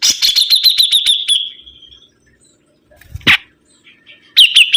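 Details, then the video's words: Sibuntung bird delivers a rapid run of high, sharp repeated notes that trails off into a thin whistle, then near silence broken by a loud click, before another quick burst of bright notes. "BURUNG SIBUNTUNG GACOR"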